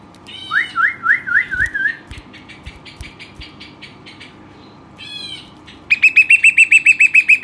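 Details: Western rock nuthatch kept as a lively pet, giving five quick rising whistles, a softer stuttering series of chips, then a sudden fast run of loud ringing notes.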